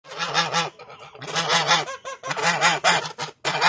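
A goose honks in loud, harsh, nasal blasts, about four bursts in under four seconds, each a rough, broken honk with short pauses between.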